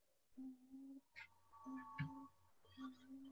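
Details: A Tawny Frogmouth recording from Merri Creek, Melbourne, played back quietly during a webinar gives soft, deep, humming oom notes in short repeated bursts, while people talk over it.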